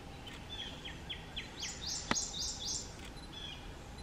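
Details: A prothonotary warbler sings at South Tibwin Trail, Charleston County, SC, on 18 April 2021. It gives a quick series of bright, ringing notes, about four a second, jumping higher halfway through, with a sharp click and soft hiss.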